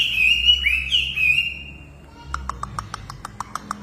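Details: Hwamei in full song: a loud, rich whistled phrase sliding and warbling up and down for about a second and a half, then a quiet pause followed by a run of sharp, evenly spaced clicking notes.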